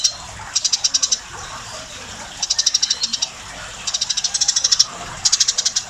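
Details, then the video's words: Eurasian tree sparrow, described as very tame and in full voice, repeating four quick bursts of high sharp ticking chirps, each a rapid run of six to twelve notes separated by short pauses. "burung gereja super jinak gacor"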